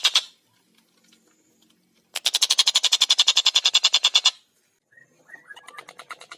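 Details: A tengkek buto, or collared kingfisher, sings busily, clear and fast: a short opening burst, then a two-second run of rapid, harsh kek notes, followed by softer, scattered chattering notes.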